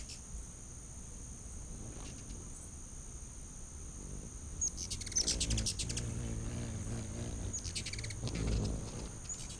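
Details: Hummingbirds in a feeding frenzy at a back-deck feeder in late August 2019; bursts of sharp, rapid twittering chips arrive after a quiet start, over a steady high whine and low wingbeat rumble.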